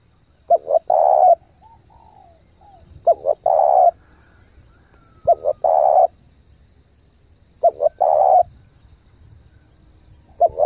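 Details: Spotted dove, a lure bird cooing rapidly to stimulate decoys: five phrases about every 2.4 seconds, each two or three brief notes followed by a long, full coo, against a faint low background.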